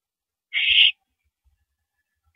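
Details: Owl at a nighttime mouse delivery on April 13 2012, 9:17 PM, gives one rasping, breathy screech of under half a second, then a quiet gap and the start of another screech; faint low thumps between.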